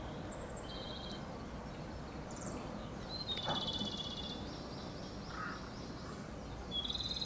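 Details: Japanese robin, a bird ranked among Japan's three finest singers, delivers a quick high rattling trill lasting about a second, with scattered thin high notes before and after and a steady wash of background noise.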